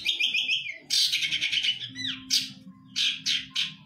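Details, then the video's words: Competition long-tailed shrike from Indonesian bird hobbyists sings varied mimicked phrases: a wavering high warble, then loud scratchy bursts and downslurred notes separated by short pauses, over a low steady hum. "Materi Cendet / Long Tailed Shike"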